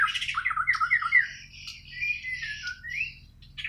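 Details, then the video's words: White-rumped shama from Borneo, Kalimantan, singing naturally without tutoring: a run of clear, fluty, slurred whistles, rising and falling, ending in a longer sweeping phrase, with people chatting nearby. "Kicau Burung Murai Borneo"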